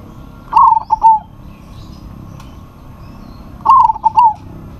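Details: Zebra dove of local stock calling to a rival that answers back; two rippling fluted coo phrases roughly three seconds apart, each of three or four rapid notes, over a soft background hiss.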